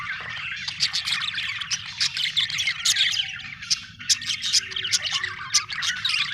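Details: Happy budgerigar chirping in a dense, continuous stream of bright warbles, clicks and short squeaky notes, with louder sharp chips standing out every second or so and a faint low hum underneath.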